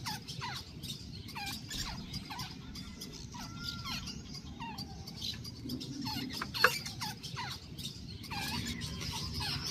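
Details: Young wild jungle babblers in Pakistan call with repeated short squeaks and slurred whistles, several per second, with a brief pause midway. One sharp click is heard, and a constant low hum and rumble run underneath.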